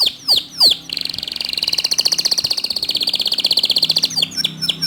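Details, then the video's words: Canary singing as a master song meant to prompt other canaries to sing along: two downward-swooping whistles, then a sustained fast rattling trill of tightly repeated high notes, finishing with quick twittered phrases. "Masteran Kicau Kenari Untuk Memancing Kenari Lain Agar Ikut Gacor Dor"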